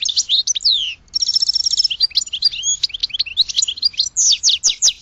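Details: Goldfinch song: sweeping descending whistles, a buzzy trilled phrase, then a continuous rapid jumble of high tinkling chirps to the end.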